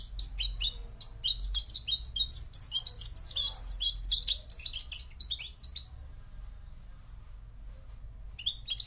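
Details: Moroccan goldfinch pouring out a bright, twittering song of rapid jumbled notes for about six seconds, then falling silent before a last short phrase; faint hum throughout.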